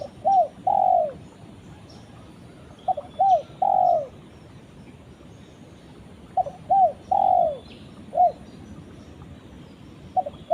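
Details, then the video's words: Spotted dove calling to its companion, repeating a three-part coo phrase of two short notes and a longer falling croo roughly every three seconds, sometimes with an extra trailing coo; faint bird chirps behind. "suara burung tekukur memanggil temannya"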